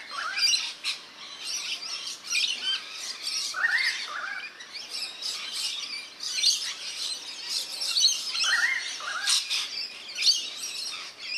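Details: Rainbow lorikeets bathing in a backyard birdbath in NSW, Australia, keep up constant, overlapping shrill screeches and squeaky chatter from several birds, with brief louder bursts every second or two.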